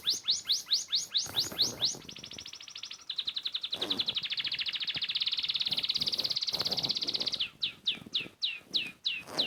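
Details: Sparrow song: a run of quick descending whistled notes, then a long buzzy rapid trill held for several seconds, ending with more sharp downward-sweeping notes.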